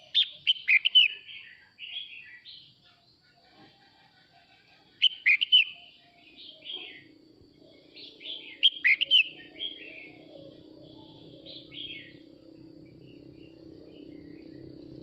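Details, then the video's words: Red-whiskered bulbul male sings to gather the flock, giving four bright, warbling whistled phrases of rapid rising and falling notes every few seconds, while a steady low hum runs underneath from midway on. "Chào mào trống hót gọi đàn"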